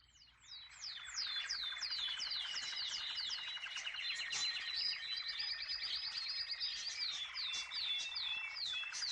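A canary sings a long, bright, high-pitched song of fast repeated chirps and rolling trills, with sweeping whistled notes on top. No other sounds stand out.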